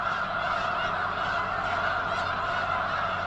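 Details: Massed snow geese at Potholes Reservoir, a huge flock likely gathering before the journey north to arctic breeding grounds, produce a steady, unbroken wall of overlapping high honking calls.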